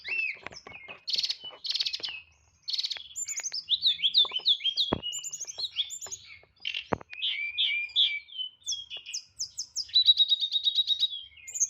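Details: White-rumped shama (tledekan), a caged songbird, delivering loud nyeklek-style song packed with isian fill-ins: dense rapid whistles, buzzy bursts and chattering trills at a varied pace, ending in a fast repeated trill, with faint clicks.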